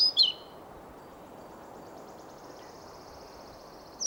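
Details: A male European pied flycatcher sings in Sweden while a female listens: a few bright, high chips, then a faint, rapid run of thin repeated notes, and a sharp high note at the end.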